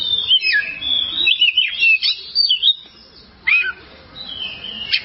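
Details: Oriental magpie-robin (kacer) song used as a long-duration training recording for caged songbirds: loud whistled phrases with sweeping slurs and sharp notes, separated by short pauses.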